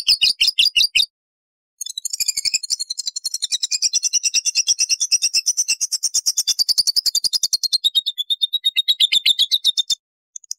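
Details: Lovebird in ngekek and ngetik style, kept in separate cages and played as a lure to stimulate other lovebirds: a brief burst, a pause, then a long, fast, shrill chattering trill of evenly repeated high pulses running about eight seconds.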